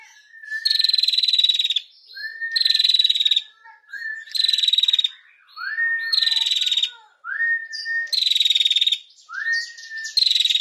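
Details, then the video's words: Female prinia singing chatty, trilling song used as a tutor recording for magpie-robins: repeated phrases of a short rising whistle, then a dry, buzzy, rapid trill, about every two seconds. "PRENJAK BETINA GACOR NGETIR"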